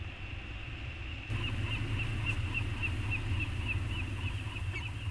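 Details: Peregrine falcons on Anacapa, filmed by a nest webcam on 14 August 2021 as a returning pair bonds: a long run of short, high chirping notes in rapid, fairly even succession over a steady low rumble.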